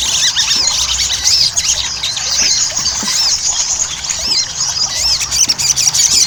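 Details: Ruby-cheeked sunbird (sogon) in energetic chattering song played as a lure for singing. Rapid high looping notes and twitters, fairly dense and continuous, with a background hiss.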